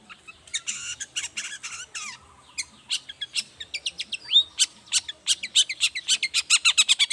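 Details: Morning song of a lively long-tailed shrike, played to lure silent shrikes into answering: scratchy chatter and a few whistles, building into a fast, steady series of sharp ticking rasps.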